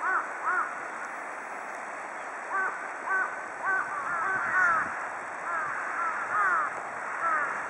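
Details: Large-billed crows calling while a flock bathes in water; several overlapping short, arched caws in loose bursts, some rapid and stacked, with a constant hissing background.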